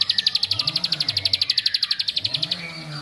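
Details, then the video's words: A bar-winged prinia's provoking song: a steady, fast series of sharp, high clicking notes lasting about two and a half seconds, with a low droning hum beneath. "Kicaun Cibl3k ini Bikin Semua Cibl3k Makin Emosi"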